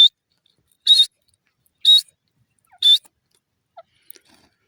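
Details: Grey francolin (dasi teetar) calling: four loud, short, high-pitched notes, each about a second apart, then a few faint clicks; quiet background otherwise.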